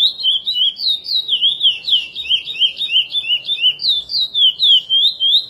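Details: Chestnut-bellied seed finch of the "curió praia" song type singing a fast, flowing run of clear, rolling whistles that swoop up and down without pause, over faint background hiss.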